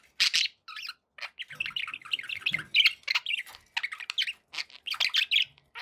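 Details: Happy pet budgerigars in chattering chorus, a steady stream of quick buzzy chirps and squeaky warbles running almost without a break.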